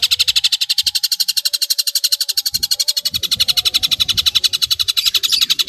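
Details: Fast, very regular rattling roll of rasping notes from a long-tailed shrike, about four per second, over faint low background rumbling.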